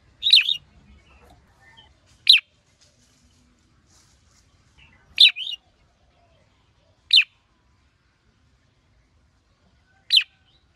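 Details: Male red-whiskered bulbul excited by a female. Loud sharp whistled phrases, some doubled and wavering, recur roughly every two to three seconds against near silence.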